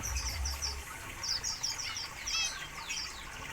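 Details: Zebra finches kept in a large minimalist aviary utter short, high, nasal calls in little bursts, one buzzy harmonic-rich note near the middle, with a low hum behind.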